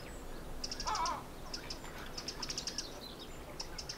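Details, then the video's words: Little grebe adults with young chicks feeding in the dunes of Egmond, Netherlands; quick series of high, sharp peeps in short bursts of four or five, with a lower rough note near the start, against low background rumble. "Meet a family of the little grebe"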